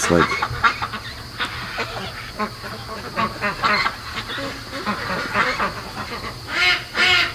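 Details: Young domestic ducks, on day 73 of being raised, restless at night around 3 AM; rapid overlapping quacks and nasal chatter from many birds, a human voice briefly near the end, steady background hum.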